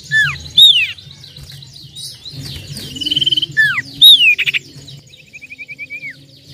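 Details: Song of a common iora (cipoh, sirtu) used to lure birds. Clear, varied high whistles, some falling and some upslurred, are mixed with short fast trills and a rapid buzzy rattle, over a soft low hum.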